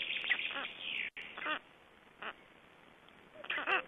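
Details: Black storks at an Estonian nest, 25 May 2012, during feeding: a few nasal, quacking squawks with falling tones, separated by short pauses.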